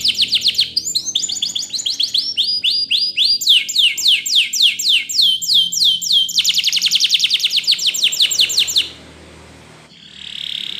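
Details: Spanish Timbrado canary in training song, pouring out long fast trills of downslurred strokes that shift speed and pitch for about nine seconds, then a pause with faint hiss and a short soft buzz.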